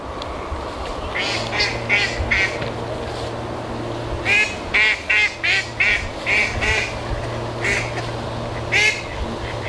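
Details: One or two ducks on a moat at Barrs Court, one of them noisy, hidden among duckweed-covered water and recorded with a shotgun microphone; bursts of loud, nasal quacks repeat in quick runs of three or four, about every second, over a low background hum.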